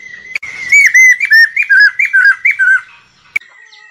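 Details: Lesser necklaced laughingthrush song, used to lure birds for trapping; a quick series of loud, bending whistled notes for about two seconds, then quiet broken by a single click.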